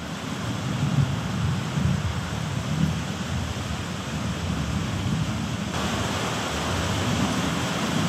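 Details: Steady, loud low roar of wind, surf or passing traffic, with no animal voice heard.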